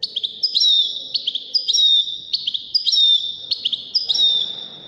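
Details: Wedani-style European goldfinch from Morocco repeating a short tinkling phrase with a slurred whistle, about seven times in quick, regular succession.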